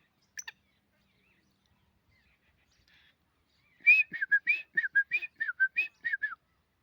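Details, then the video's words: Black francolin (kala teetar) calling in Pakistan: a single brief sharp note, a pause, then a rapid run of about a dozen harsh, clipped, chattering notes over two and a half seconds in a quiet setting. "Kaaly teetar ki awaz black Francolin calling black Francolin sound black Francolin voice Kala teetar"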